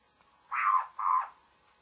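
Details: Morning call of a babbler, a pair of rasping, grating notes, each about a third of a second, separated by a brief gap, with little else audible.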